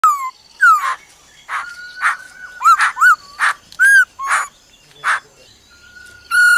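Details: Laughingthrush; female call; female calling to stir up and excite a male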